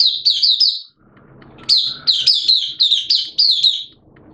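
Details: Oriental white-eye singing in captivity during wet, erratic weather: a short high twittering phrase, a brief pause, then a longer run of rapid, bright slurred chirps.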